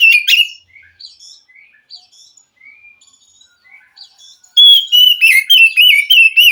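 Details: White-rumped shama from the wild forest answering a caged bird reluctant to sing: soft scattered whistles and chirps, then a sudden loud burst of fast, rich whistled notes near the end.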